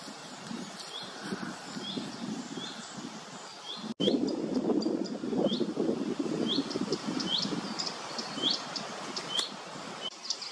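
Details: Common redstart at RSPB Gwenffrwd-Dinas, Wales, gives short, upslurred whistled notes repeated irregularly over a steady low rush of running water or wind.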